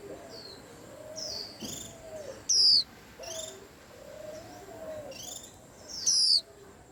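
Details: Several birds calling in a white-eye commotion, with two strong, high, descending whistles standing out over fainter high chips and low, warbling background sounds.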